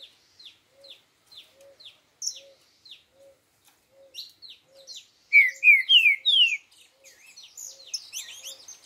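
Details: Green-winged saltator delivering its four-note 'boi' song: after a run of soft, regularly spaced chips and a faint repeated low tone, four loud, slurred whistles descend in pitch, followed by scattered high twittering.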